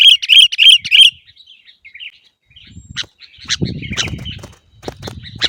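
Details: Sooty-headed bulbul, called kutilang, singing for caged-bird training: one second of loud, quickly repeated bright chirps, then faint scattered notes and sharp clicks over low fluttering, rustling sounds.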